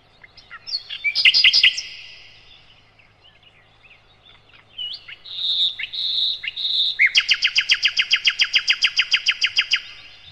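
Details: Sikatan londo, or nightingale, in a master recording for training cage birds: loud buzzy opening phrases, quieter varied whistles, a steady high note, then a long fast series of repeated sharp notes.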